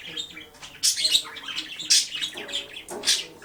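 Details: Indoor male budgerigar playing with his disco ball in the sun, babbling a continuous scratchy warble punctuated by loud shrill squeaks every second or so.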